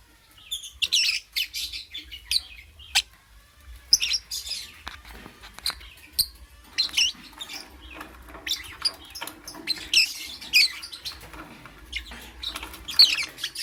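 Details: Morning lovebird chatter: a steady stream of shrill, scratchy high chirps and squeaks, repeated rapidly throughout with barely any pause, some notes sliding upward, over a faint low hum.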